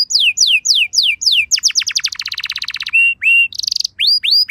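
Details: Canary pancingan song used to make other canaries respond: slow series of descending whistled slurs speeding into a fast rolling trill, then buzzy notes, a short rattle and rising whistles.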